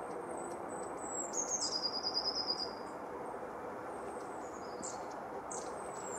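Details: Winter song of a Eurasian blue tit at Anglet, France, 2018-19: one clear run of high, crystalline notes that slide downward and speed up toward the end, with fainter high notes around it and steady hiss.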